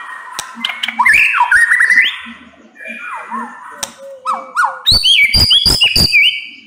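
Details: 'Nembak pedes' singing from a white-rumped shama: tangled whistled slurs and warbles, a short flat whistle, then a fast run of sharp clicking notes with upslurred whistles between them.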